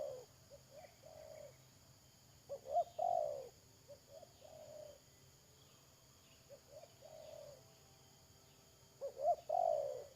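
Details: Captive decoy spotted dove cooing while luring wild doves into a trap, 31 May 2022. Repeated phrases of quiet coos followed by a louder stressed double note and a long hoarse coo, about every six seconds.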